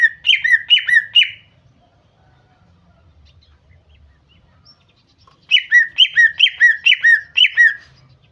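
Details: Female greater green leafbird lure calls meant to set a male singing. Three fast falling notes are followed by a long quiet stretch, then a run of about six more with the same crisp down-slurred shape.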